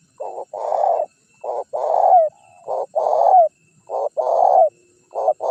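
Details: Spotted dove lure call, used to attract wild birds and to draw rival birds in to call and approach: loud low rounded cooing phrases, about eight coos grouped in repeated bursts with short gaps, some notes ending in a slight upward flick, a clean background.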